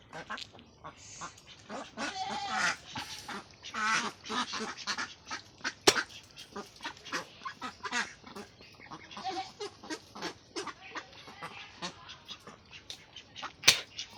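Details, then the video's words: Ducks on a duck farm quacking together, a dense overlapping chorus of harsh nasal quacks throughout, with a few sharp clicks or knocks. "Duck Sound"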